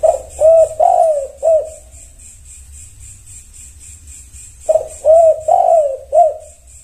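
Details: Responding tekukur, a spotted dove: two four-part cooing phrases, soft and hollow, the third note longest and gently falling, separated by about three seconds of quiet. A constant high buzzing pulse and low hum run beneath.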